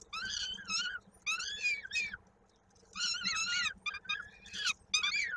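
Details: Peregrine falcon at a nest in Koszalin, Poland, 16 May 2022, during feeding when a chick's foot got stuck in a beak: loud harsh harmonic wailing calls in bursts of about one second, separated by short pauses, with a faint steady hum.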